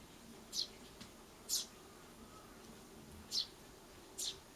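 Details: Eurasian tree sparrow chick begging for food, at times pecking food on its own: four short, high, thin chirps spaced about a second apart, over a quiet, faintly humming background.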